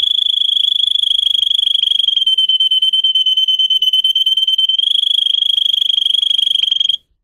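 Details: Russian singing canary, bred for song, in a training recording for other canaries: one long, rapid, even trill held on a high pitch for about seven seconds, briefly shifting up near the end before stopping abruptly.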